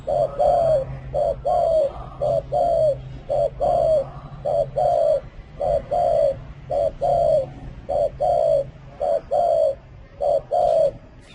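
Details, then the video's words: Spotted dove giving a long run of cooing phrases, each a brief note followed by a longer falling coo, repeated about once a second against a low background hum. "Tiếng chim cu gáy có giọng gù hay nhất"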